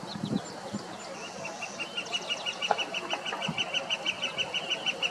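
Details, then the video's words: A Northern flicker gives a long, steady run of loud, ringing kek-kek-kek notes, about three a second, over soft background chatter and a few low thumps. "Chant du pic flamboyant"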